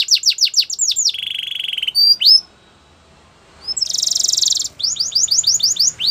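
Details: Canary song: quick falling whistled notes give way to a long, even, rapid trill and a short silence. A buzzy, rattling trill follows, then crisp repeated down-slurred notes.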